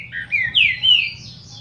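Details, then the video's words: Captive Green-winged Saltator (plain Paraná type) warming up after a quick feather molt: a brief phrase of rich, slurred whistles, swooping down then rising, over a faint low hum. "TRINCA-FERRO PARANA LISO ESQUENTANDO (APÓS REPASSE DE PENA)"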